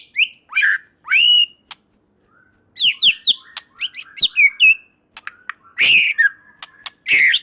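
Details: Caged white-rumped shama singing vigorously, a song said to set other shamas singing: rising whistled notes, high buzzy trills and rapid chattering phrases, alternating with short silences and sharp clicks.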